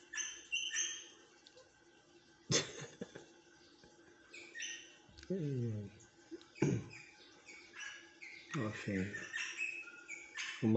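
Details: A pet rosella, restless and noisy all day, gives bright, high chirps and short whistled notes in quick bursts throughout, while a person talks nearby in a small room.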